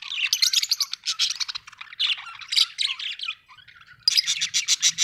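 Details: Pet budgerigars indoors, giving continuous busy chatter of squawky chirps and warbled notes, briefly quieter, then a fast run of sharp repeated chirps at the end.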